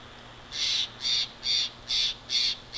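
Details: Bald eagle at the nest in Big Bear Valley on 29 March 2023 at 19:41, seen on a wide-view nest camera; five short, harsh, high-pitched notes spaced about half a second apart, over quiet background hum.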